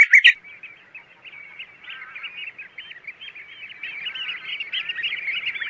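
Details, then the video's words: Wild bird singing outdoors: a rapid, continuous chatter of short twittering notes in a mid-high register, quiet at first and then growing louder and busier toward the end, over a silent background. "kicau burung di alam liar"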